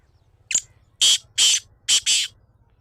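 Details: Black francolin calling: a short sharp opening note, then four loud, harsh, rasping notes, the last two run closely together, over a quiet low hum.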